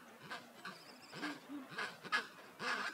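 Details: Pair of skuas feeding their chick beside a chinstrap and gentoo penguin colony give short, harsh, nasal calls with low bending notes, mixed with breathy rasping bursts in an irregular run of about six calls.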